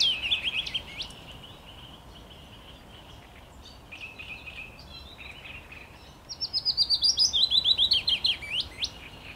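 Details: Willow warbler song recorded 17 May 2021: a short descending strophe of fluty down-slurred notes at the start, a quieter pause with faint chirps, then a louder full phrase of rapid sweet notes cascading downward near the end.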